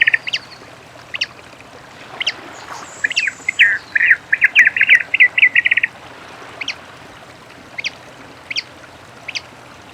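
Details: Rufous-collared sparrow singing in nature: a few thin high whistled notes, then a quick buzzy trill of repeated notes, followed by scattered short sharp chips.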